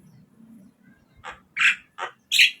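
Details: Javan myna sound used as a lure to get kept birds singing: three or four short, harsh squawking notes in quick succession over a faint low hum.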